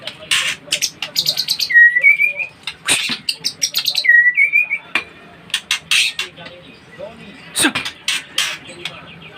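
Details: Kept white-rumped shama singing: two short rising whistled phrases, around two and four seconds in, set among rapid bursts of sharp, harsh chips and clicks repeated throughout.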